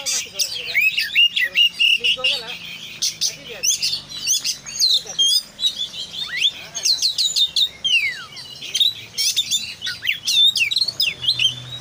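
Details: Long, varied Oriental magpie-robin song in konslet style, full of isian: a restless stream of whistles, downslurred sweeps, chattery bursts and clicks, continuous and loud throughout.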